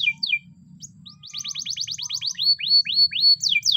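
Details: Morning training song of a Spanish Timbrado canary: quick downward chirps lead into a rapid, even trill, then slower, looping whistled notes and a sharp closing flourish, over a soft low hum.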